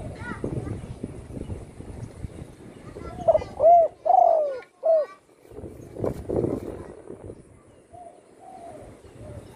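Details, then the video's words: Spotted dove kept at home after being shot and breaking its wing, now singing freely: one low cooing phrase of a short note, an arched coo, a long falling coo and a final arched coo, amid soft rustling and background noise. "burung tekukur,yg dulu di tembak orang kena sayapnya patah,kini sudah gacor di Rumah"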